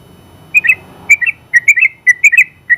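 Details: Yellow-vented bulbul, a general-class champion, singing in short groups of two or three liquid, slurred whistles separated by brief pauses, above faint low background noise.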